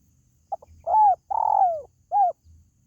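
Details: Spotted dove calling sound, used to lure pet birds: a soft clipped note, then a long burry coo sliding downward, then a short arched coo, all low and mellow, over a faint low rumble.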